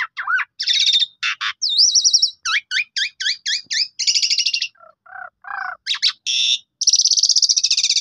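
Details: Black-collared starling lure song for prompting rivals to sing: clean whistled upslurs, a wavering high whistle, evenly spaced sharp notes and long buzzy trills, with brief pauses between phrases.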